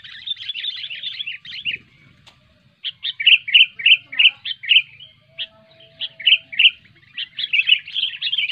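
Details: Loud sooty-headed bulbul song used to lure reluctant bulbuls into singing: bursts of quick chirpy phrases separated by brief gaps, with a faint steady tone in one gap.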